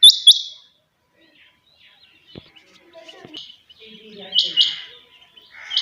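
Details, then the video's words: Kept quails calling early in the morning: a sharp, high double note at the start, then a quieter stretch with faint scratchy sounds, before another loud clipped two-note phrase near the end. "morning sound of Quail bird"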